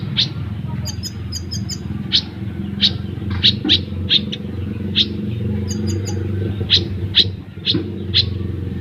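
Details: ['Olive-backed sunbird in full besetan and tembakan, for tutoring or luring caged birds: repeated sharp, high chips interleaved with fast bursts of very high twittering, over loud low rumbling noise.']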